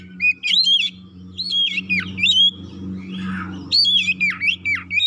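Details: An oriental magpie-robin sings a lure song to stir other magpie-robins into eager, persistent song. Ringing whistled phrases with deep downward swoops come in several bursts over a steady low electrical hum, plus a soft rustling sound midway.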